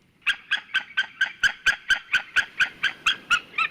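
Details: Sea eagle, the white-tailed eagle, uttering a clear run of about fourteen evenly spaced yelping calls at roughly four per second, strong and even throughout.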